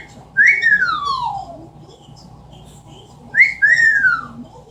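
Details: Pet Amazon parrot kept indoors giving two wolf whistles, each a sharp rising note then a long falling glide, about three seconds apart, over low room hum; a woman speaks afterwards.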